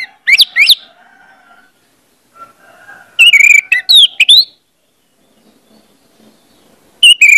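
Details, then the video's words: Orange-headed thrush singing as a lure track to encourage other birds to sing: paired upswept whistles, a busy cluster of slurred notes after a pause, and a final phrase, with soft low whistles between. "pancingan anis merah bikin cepat ngeplong"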